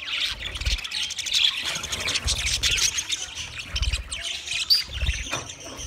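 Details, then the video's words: Flock of budgerigars, twenty pairs, keeping up a steady stream of overlapping high twittering and scratchy squawks, broken by soft low bumps. "20 Budgie pairs chirping sounds"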